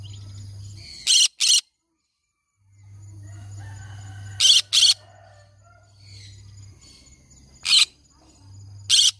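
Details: Harsh, paired squawks from a green-cheeked conure, about four bursts, over a steady low electrical hum with soft high whistled notes in the gaps.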